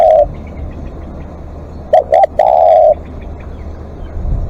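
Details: Spotted dove giving a long call during live decoying: a brief coo ending, then two quick coos and one sustained mellow coo over a low steady hum.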